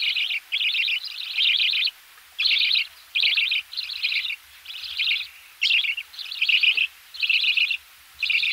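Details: Close recording of budgerigar nestlings begging as they are fed, with raspy chattering bursts about a second long repeated in steady succession and short gaps between them.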